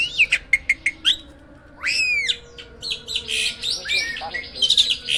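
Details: Caged hybrid jalak (starling) kept as a master singer for training other songbirds: a series of short sharp whistled notes, then loud arching upslurred whistles and a dense, harsh, chattering warble.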